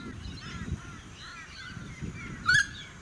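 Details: Single harsh, grating cry of a noisy friarbird (Philemon corniculatus), recorded in May 2018 in suburban Sunshine Coast, Queensland. It comes near the end, after faint chattering birdsong, with wind and suburban noise throughout.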